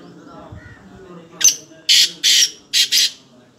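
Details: Black francolin (kala teetar) in Pakistan: a soft low murmur, then five loud, harsh, grating bursts in quick succession, a single note followed by two paired groups, each burst broad and raspy and lasting about a fifth of a second.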